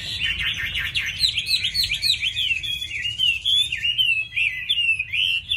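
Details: Chinese hwamei, a tame cage bird praised for its fine voice and eager singing, pours out rapid continuous warbling: looping, bright whistled notes run together without pause, with a low hum behind.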